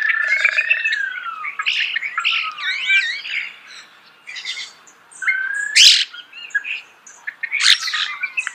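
Common starling song, a rambling jumble of slurred whistles, rising and falling notes and harsh clicks and rattles. Several bursts are strung together over a few seconds with short pauses.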